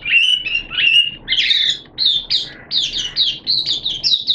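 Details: Kept Oriental white-eye in opening song, recorded on 11 September 2022 amid wet, erratic weather; a few lower whistled notes lead into a string of quick, high, rising chirps repeated in bursts.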